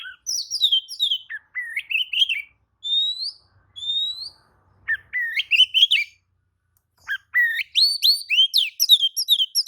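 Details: Oriental magpie-robin answering the song of another magpie-robin in an excited way. Continuous varied song of clear rising and falling whistles, slurred notes and quick chirps, with a brief pause midway before a dense burst of notes.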